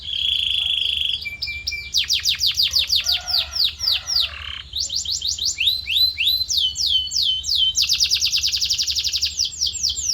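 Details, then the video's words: Varied canary song for voice training: a held whistle, a lower tone, then successive tours of rising and falling slurred notes, some harsh, ending in a quick even trill. "Special Audio to Shape Your Canary's Voice Character"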